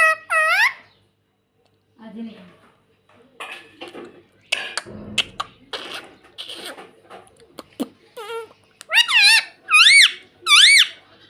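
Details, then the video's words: A pet rose-ringed (ringneck) parakeet gives loud, shrill, wavering squawks at the start and in three strong bursts near the end, with chattering, speech-like mimicry in between. "Ringneck Parrot Natural Sound || Mitthu Ki Aavaj Bahut Cute Hai"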